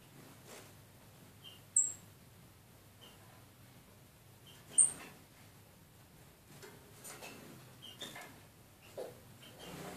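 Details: Two nearly tame captive female red-eared parrotfinches (Erythrura coloria) in a decorated birdcage, giving two very high, thin, sharp tsit notes a few seconds apart, with softer high chips and light rustling as they fly about.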